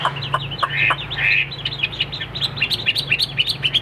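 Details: Caged Hwamei during a competition fighting display, giving quick, sharp whistled notes in a choppy, repeated series over a steady low hum.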